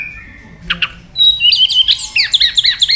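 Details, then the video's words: Short burst of white-rumped shama song from a lure recording: a soft slurred note and a harsh double call, then rapid high twisting whistles and chirps in quick succession. "pancingan murai batu gacor bikin yang lain DOWN!!pancingan burung murai batu nyaut"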